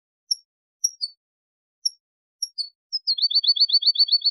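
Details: European goldfinch song from a tutoring tape for goldfinches and hybrids: a few thin, high, separate chirps, then a fast, even, buzzy trill repeated about four times a second. No other sounds.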